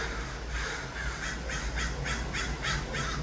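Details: Crows gathered in Los Angeles: repeated short, grating caws roughly every third of a second, overlapping callers against a constant low rumble.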